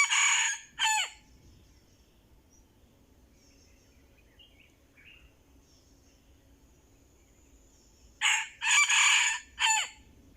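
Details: Red junglefowl of the Anulak line, used as a decoy to lure wild birds, gives a harsh, clipped crow at the start, then quiet with faint distant chirps, and a second burst of rough crowing near the end.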